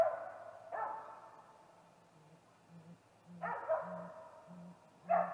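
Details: Harsh, wavering, loud bursts from the nest area, then a row of low, muffled hoots about every half second, from a calling male great gray owl at a snag tree nest, 8:45 pm, 21 April 2019, before visiting the nest.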